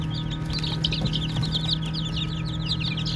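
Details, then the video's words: Playing baby chickens fill a brief stretch with busy overlapping peeps, high and slurred, coming several each second, backed by a low steady hum. "Baby Chicks Chirping Sounds"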